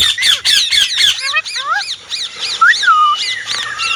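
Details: Indian ringneck parrot: about a second of loud harsh rapid squawks, then a run of shorter tonal calls with swooping rising and falling whistled notes, some bent into loops, repeated roughly every third of a second.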